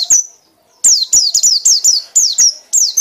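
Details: High, bright downslurred whistles from a white-eye in loud ngekek style, a quick note, then after a short silence a rapid string of about eight sweeping notes.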